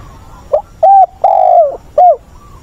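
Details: Decoy spotted dove with the agitated voice of a newly caught wild bird, used to train captured birds. It gives one phrase: a short opening note, a clear hooted coo, a long falling coo, and a final short curved note. The recording sounds loud and clipped.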